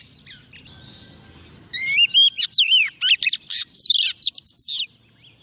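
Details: A female Oriental magpie-robin, kept as a decoy, sings to attract a male; a quiet start gives way to loud bursts of curving whistles, upslurred notes and fast buzzy trills.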